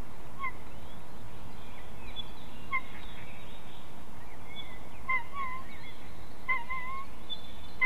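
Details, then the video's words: White-tailed eagles (Haliaeetus albicilla) in a family dispute over prey, Ķemeru National Park, on a live nest camera: scattered short yelping calls with a slight rise, about four bursts, over a steady low rumble. "Ģimenes strīds par medījumu / Family dispute over game"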